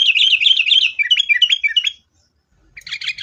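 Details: Sooty-headed bulbul, local name kutilang, in lively fighting song, used as a lure to get caged birds singing. A fast chattering run of bright chirps for two seconds, a pause, then a renewed burst.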